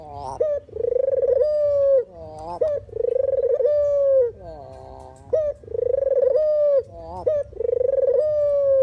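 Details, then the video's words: Dove call of the puter or deruk type, recorded for use as a trapping lure: long steady mid-pitched cooing notes with a slight rise and fall, repeated in a halting rhythm with short breaks and quick bending notes between. "suara asli burung puter/deruk buat isian,pikat dan pancingan"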